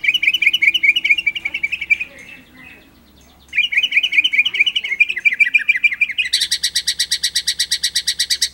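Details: Indonesian white-rumped shama giving 'ngerol nembak' tutor song: warbling runs of quick mid-high notes, a short quiet gap, more warbling, then a steady, rapid, high trill of repeated notes.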